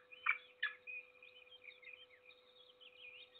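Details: At a peregrine falcon nest in the Trzebież forest district, Poland, on 7 May 2022, an adult feeding its single chick gives two short harsh notes, then thin wavering high squeaky cheeps follow over a steady low electrical hum.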